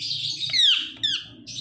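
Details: Pet ring-necked parakeet, a talking bird, giving high chirps and descending squeaky notes in short bursts indoors, with a person repeating a word nearby.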